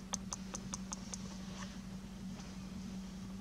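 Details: Goldfinches at a snowy feeding spot during a snowstorm on January 16, 2020; a quick run of six sharp, high chirps in the first second and a half, then fainter scattered notes, over a steady low hum.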